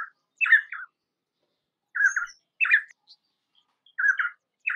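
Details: Painted spurfowl (Galloperdix lunulata) song of rasping double notes, delivered in pairs roughly every two seconds, each pair with a lower buzzy note followed by a higher scratchy one; background otherwise silent.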